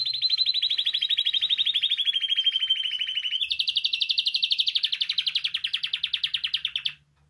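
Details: Canary singing to prompt other canaries to sing: one continuous rapid trill of many quick repeated notes, dropping slightly in pitch, then jumping higher midway and continuing for about seven seconds, faint low hum behind.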